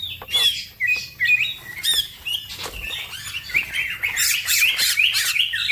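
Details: Green leafbird (cucak ijo) in rapid song, a master recording for other birds; scattered sharp clicks and taps at first, then a busy burst of high twittering and slurred whistles.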